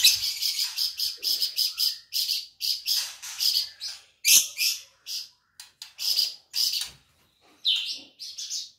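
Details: Singing flamboyan bird, an insect eater kept as a tutor for other songbirds: steady rapid high scratchy chirps, one loud sharp note midway, then fewer notes with short silences.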